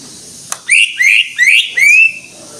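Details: Greater green leafbird in vigorous 'gacor' song: after a brief click, four clear whistled notes, each sliding upward then levelling, spaced about a third of a second apart, with a faint background hiss.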